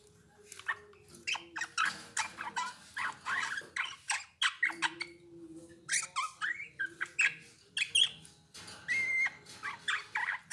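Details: Eurasian bullfinch singing a quiet, scratchy, creaking warble of rapid clicks and rasping bursts, broken by brief pauses and one short high whistled note near the end, with a constant low background hum.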